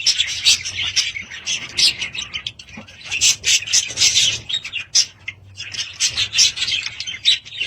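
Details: Household budgies chirping and warbling in quick high, squeaky phrases, loud clusters alternating with quieter moments.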